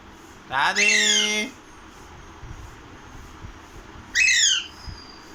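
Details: Pahadi parrot talking: a rising voiced utterance followed by a shorter harmonic word-like call about three seconds later, in a quiet indoor setting.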